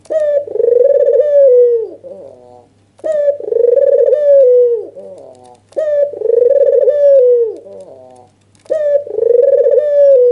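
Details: Red-eyed albino dove giving its excited nodding coo to stir up a rival; four evenly spaced coos about every 2.8 seconds, each a clipped rising start, a long purring middle, and a downward slide, with soft murmured notes between.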